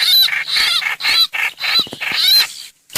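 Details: Short burst of a streak-eared bulbul hoành hoạch lure call, with rasping chatter and curved, ringing notes that ends in brief silence.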